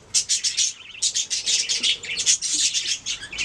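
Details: Budgerigars singing, dense high chattering warble of rapid chirps with short pauses, continuous and lively throughout.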